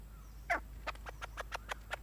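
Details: Red junglefowl hen clucking: one stronger note followed by a fast series of short, evenly spaced clucks, about five per second, over faint background hiss.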